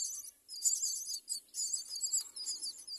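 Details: Myna chicks at the nest being fed by adult birds: dense, high, shrill chirping that rises and falls in bursts, with brief pauses between rushes of calls.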